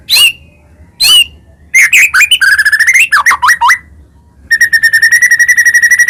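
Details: Full, fill-laden song of a white-rumped shama, of the Medan type, meant to spur rival shamas to sing. Two sharp upslurred notes, a jumble of warbled, twisting phrases, then an even, rapid chattering series of clicks.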